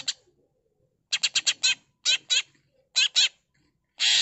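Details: Cucak ijo song, the leafbird in lively gacor form: a rapid run of four or five raspy chips, then paired harsher notes with wavering tones, ending in a longer grating burst.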